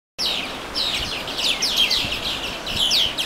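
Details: Songbirds singing by the Watarase River on May 4: a dense chorus of quick, high, down-slurred chirps and twitters overlapping continuously, with a bright whistled note standing out near the middle and end.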